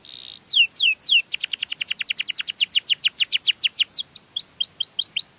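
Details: Canary song played to call others of its kind: a short buzzy note, a few downward sweeps, then a fast, steady trill of falling notes that eases into slower rising-and-falling whistles.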